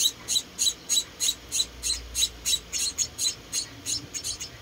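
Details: Hand-fed munia chicks, four rescued babies indoors, calling in a rapid run of high squeaky cheeps, about three per second, fairly regular, softening slightly toward the end over low background hum.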